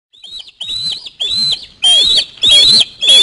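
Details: Osprey chick screaming as a parent flies in with a fish at the nest; shrill, whistled high screams in quick bursts of rising and falling notes, growing louder, about one every half second.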